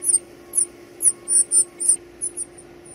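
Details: Baby birds calling while being fed: very high, thin squeaks in short bursts, about two a second, with a steady low hum underneath.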